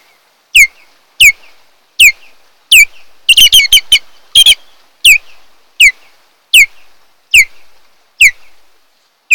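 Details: Osprey at a nest on Kent Island, Maryland, 8 July 2018, late morning, giving sharp, high, downslurred whistled chirps, roughly one every three-quarters of a second, with a quick cluster of several partway through.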